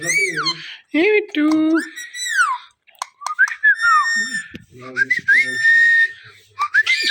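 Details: Indian ringneck parakeet, a talkative pet bird, producing bright whistled phrases of rising and falling slurs, interrupted by short clicks and brief silences.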